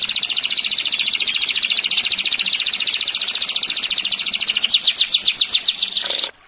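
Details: Tutor recording of a canary's sharp, long-rolling 'tembakan' song: a fast, high, buzzy trill that turns into slower, louder, distinctly separated downslurred notes before stopping abruptly.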